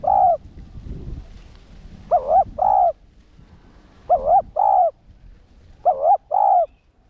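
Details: Cooing call of a spotted dove in the 'one-ending' decoy style meant to excite caged males: repeated two-part phrases, a quavering note then a sustained mellow coo, about every two seconds, with soft low rumble beneath.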